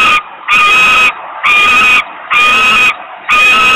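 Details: Hungry young osprey in Poland, August 2021, screaming for food: long, harsh, level screams of about half a second each, coming almost back to back in a steady insistent rhythm.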